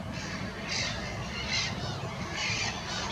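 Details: Black-headed gulls at Monikie giving harsh, grating calls about once a second over a steady low rumble.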